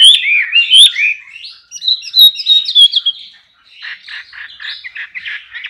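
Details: Captive male Chinese Hwamei, a contest songbird bred in Indonesia, sings loud ringing whistles with high sharp accents. The whistles give way after a short pause to a quick burst of buzzy, rapidly repeated notes.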